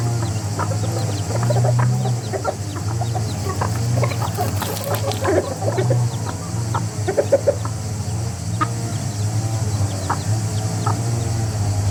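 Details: A rooster family calls as a group, giving scattered short clucks that bunch into a busy cluster midway and then thin out. A continuous low rumbling hum runs underneath.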